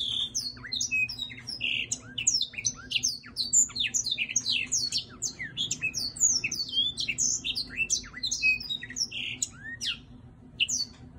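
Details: Singing black-throated laughingthrush, a prized kept bird performing with display movements: long, nonstop stream of loud, piercing whistles and quick slurred notes tumbling over one another, easing briefly near the end; faint low hum behind.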